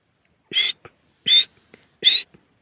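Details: Partridge (teetar) calling: three loud, harsh, ringing notes, each about a fifth of a second, repeated roughly every three-quarters of a second. Soft clicks fall between them over an otherwise quiet background.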